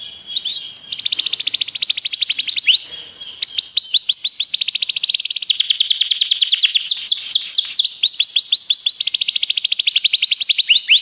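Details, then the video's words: Belgian canary singing as a training song: after a short broken opening, long rapid rolling trills of sweeping notes run almost without pause for about eight seconds, loud and steady. "treinamento canário belga cantando"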